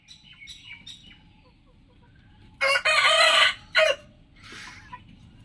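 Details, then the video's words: Rooster crowing in the morning: a loud, harsh, broad crow of about a second and a half, then a short sharp note and a softer trailing call, with faint chirps of small birds beforehand. "THE BIG ROOSTERS CROWING COMPILATION | Rosster crowing"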